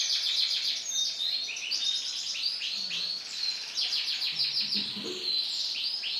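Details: Male lemon-coloured canary singing a continuous, dense warble of high chirps, trills and short whistles, with faint low background noise.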